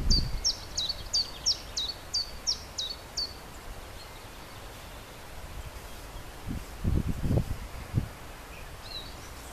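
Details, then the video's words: Common chiffchaff singing its two-note chiff-chaff song in spring 2011 to attract a mate and maintain territory, about eight high notes at a steady pace, followed by low rustling and wind-like rumble. "Chiffchaff singing"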